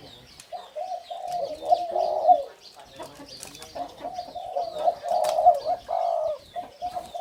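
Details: Two caged male Spotted Doves of the hybrid 'sai din' line, the father's pair, crowing while walking and hopping. Deep hollow coos come in phrases, with faint high chirps from other birds and clapping in the background.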